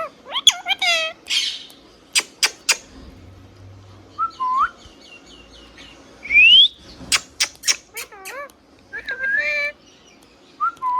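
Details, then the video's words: Tame pet green parrot vocalising, scattered squeaky speech-like syllables with curling harmonics, a clean rising whistle in the middle and sharp clicks, separated by quiet gaps. "Green Parrot Natural Sound | Hand tame Parrot Talking video | Mithu Tote Ki Awaaz | Talking Parrot"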